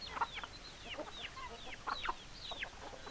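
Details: Chickens give clear high peeps that slide steeply downward, several within each second, with a few lower clucks between them.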